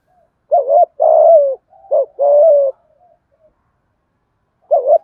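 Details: Đồng Nai spotted dove coo used to lure wild doves and quicken decoys: a quick wavering note then a drawn-out hollow coo, repeated twice, with a third phrase starting near the end.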